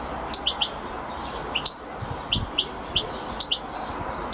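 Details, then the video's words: European goldfinch from a champion singing recording, giving sparse, bright chirps in small clusters of two or three about every second, over a constant hissing background. "Carduelis(Goldfinch) Champion amazing singing !"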